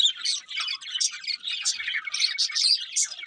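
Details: Budgerigars singing while eating; dense, continuous chirping and warbling chatter from several birds, with scratchy notes and bright whistled peaks.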